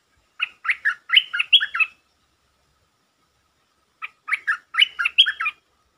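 A stripe-throated bulbul gives two bubbly, chattering phrases of quick rising and falling notes, each about one and a half seconds long, with a short pause between them.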